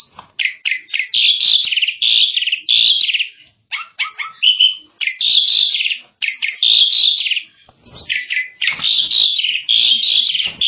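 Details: Continuous rapid chattering song of an Asian pied starling: strings of harsh, scratchy, buzzy notes and squeaky whistles poured out almost without a break, with only tiny gaps between phrases.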